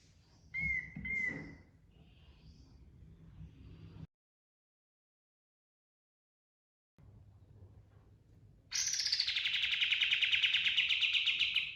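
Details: Pied triller (kapas tembak) song in rolling 'ngerol' style, recorded for training cage birds: faint scattered chips and a thin whistle, a silent gap, then a loud, sustained, rapid buzzy trill running to the end.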